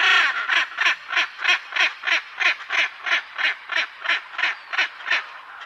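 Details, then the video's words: Steady run of loud, evenly spaced raspy squawks from a macaw, roughly three each second without a break. "Arara Cantando"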